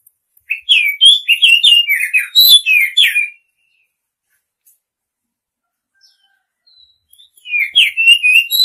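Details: Female Oriental magpie-robin calling to the male, a dense burst of harsh, buzzy chirps over about three seconds, then silence and a softer returning run of chirps.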